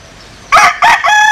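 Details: Bantam rooster bred from a Japanese bantam hen and a Cuban cock gives a loud, close crow: two short, harsh rasping syllables followed by a clearer, drawn-out ringing note, with a quiet background.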